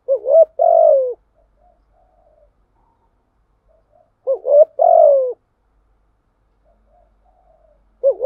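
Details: Low hooting spotted dove lure song, thổ style, aimed at wild doves: a rising-then-falling coo phrase, several seconds of near silence with faint soft notes, another phrase, then a third beginning at the end.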